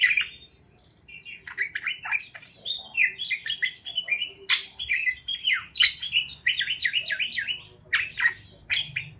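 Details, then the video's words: Parakeet chirping sounds offered to help lonely parakeets chirp: a nearly continuous run of quick, bouncing warbled notes and downward-swooping chirps, with occasional sharper squawky accents. "Parakeets Chirping Sounds"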